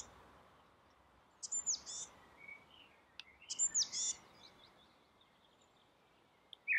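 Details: Common blackbird singing from a rooftop: two quiet phrases about two seconds apart, each with soft low warbling and ending in thin, high, squeaky twitters, over a faint steady background hiss.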